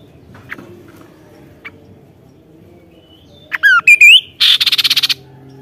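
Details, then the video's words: Kaso-kaso in lively song: after near silence come loud slurred whistles, one falling and others rising, then a fast run of about ten harsh, buzzy notes in quick succession. "BURUNG KASO KASO GACOR NEMBAK"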